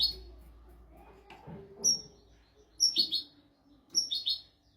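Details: European goldfinch, royal tutor song for teaching goldfinches and canaries: a few quick bright whistles each running into a short buzzy twitter, grouped in bursts roughly a second apart over a soft low hum.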